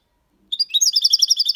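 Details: European goldfinch aged six months in Malaga copy song with ornaments: a sudden start into a fast, evenly repeated series of bright, ringing high notes, almost a trill, about ten per second.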